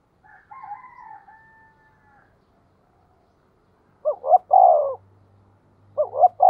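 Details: Spotted dove used as a lure for wild birds, 'tiếng thúc' call. A thin level whistle first, a silent gap, then two loud coos of two rising notes and a long falling note, with a faint low hum.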